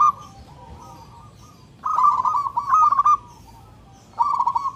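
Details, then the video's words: Local zebra dove (perkutut), loud and clear, calling to find a mate: a rolling coo phrase of rapid quavering notes, a pause, then the phrase starting again. "Perkutut lokal gacor suara NYARING dan KERAS"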